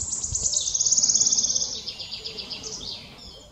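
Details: Singing male Wood Warbler in May at Dove Stone, Oldham, Greater Manchester, England: high, thin notes accelerate into a shivering, buzzy trill lasting about a second, then slower, softer ticking notes fade away.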